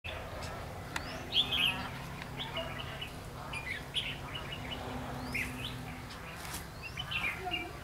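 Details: Red-whiskered bulbul, a decoy bird used in trapping the flock leader, recorded 14 March 2016. Bright, short whistled and chirped phrases recur every few seconds over a steady low hum, with faint voices and other chirps around.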